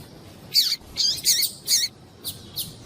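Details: Female double-collared seedeater calling to excite a male into song: a quick string of about six thin, high, slurred chirps, the last ones softer.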